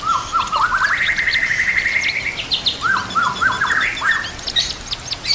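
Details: A fighter-type white-rumped shama sings energetically, full of varied fill-ins. Repeated chopped notes lead into a long, steady, rising whistle, followed by more clipped notes and upslurs over faint natural background sound.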